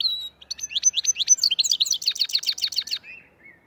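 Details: A black-headed goldfinch of the Andijan, Kuva and Fergana area delivers a lively, accelerating twitter: clipped high chirps build into a dense run of buzzy, jingling notes for about two and a half seconds, ending in two soft lower calls.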